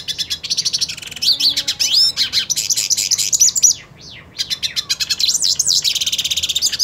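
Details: Purebred hooded siskin singing while wanting to fight another hooded siskin: a fast, high twittering song of rapid buzzy trills and sharp rising and falling whistled notes, with a brief pause near the middle.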